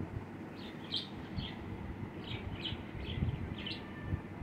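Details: Budgerigar on someone's hand giving soft repeated chirps in short pairs and clusters, a chattering warble over a low, steady background murmur.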